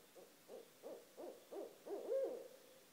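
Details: Barred owl pair living beside a house, heard at 1:30 am; six evenly spaced low hoots about every third of a second, rising in loudness and ending in a longer, slurred hoot.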